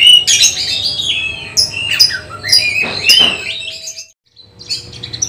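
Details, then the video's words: Oriental magpie-robin in songbird-contest training sings loud clear whistles and quick chattering notes for about four seconds, then goes briefly silent before resuming softly. "Test Mental Kacer Persiapan Lomba Burung Berkicau"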